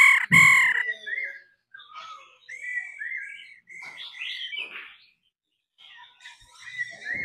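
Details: Laughingthrush recording in which a female's calls are meant to stimulate a male into full, strong song. A loud sharp knock opens it, then clear warbled whistled phrases rise and fall in short bursts separated by brief pauses.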